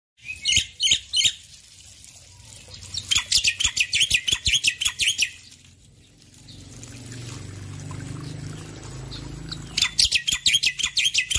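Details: A male Black-winged myna sings actively in the morning. It gives bursts of harsh, high, rapidly repeated chattering notes, broken by a stretch of running water in the middle.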